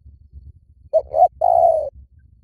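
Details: Lure recording of a spotted dove cooing: a quick pair of soft hooted notes, then a sustained, slightly descending coo, loud and clean with only faint background rumble.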